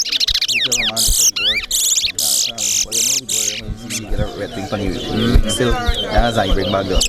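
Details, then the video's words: Towa towa, or large-billed seed finch, at a singing competition in Corriverton, Guyana, delivers rapid bright buzzes and swooping whistled notes for about four seconds, then men's voices and crowd talk take over while the bird continues faintly. "CORRIVERTON TOWA TOWA BIRD SINGING COMPETITION"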